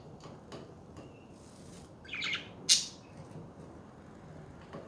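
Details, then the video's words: Budgerigars heard as a brief scratchy warble followed at once by one loud, sharp, buzzy chirp, then several faint clicks against low background hiss. "Hours of chatting budgies"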